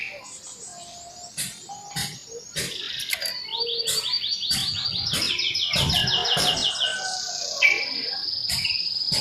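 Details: Scarlet minivet singing in its nyerecet style, sharp and sustained; long runs of rapid, evenly repeated high trilled notes roll on for several seconds, mixed with scattered clicks and short whistles.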